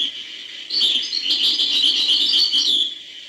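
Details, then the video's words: European goldfinch, hbal song style, singing a dense high twittering phrase of rapid liquid trills and tinkling notes, continuous for over two seconds after a quieter opening. "chant chardonneret hbal"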